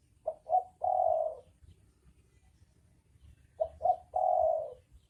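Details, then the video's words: Male and female spotted doves cooing twice: each phrase has two quick short notes and a longer drawn coo, with about three seconds of quiet between them. "Suara Burung dekukur jantan dan betina"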